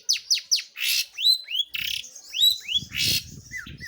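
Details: Long-tailed shrike in active song: three sharp descending chips, then loud harsh rasps and clear rising-falling whistles, ending with soft downslurred notes. Faint low rumble underneath.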